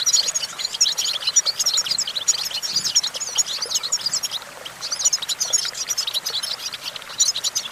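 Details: European goldfinch on a branch pours out a lively, high-pitched twitter mixing tinkling chips, short trills and wheezy notes, with a brief softer dip midway before the busy chatter resumes.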